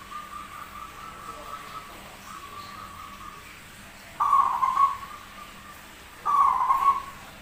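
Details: Rare zebra dove with a strange yet active song: soft level tones, then two loud rolling coos about two seconds apart, each pulsing phrase fading into a steady hum.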